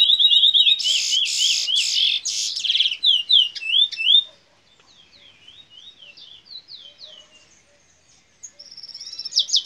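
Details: Fire Red mule, a locally bred canary x red siskin hybrid from Princes Town, Trinidad, singing in the bullfinch role style: loud buzzy trills and rolling whistles at first, then softer, slurred, repeated phrases and a closing high trill.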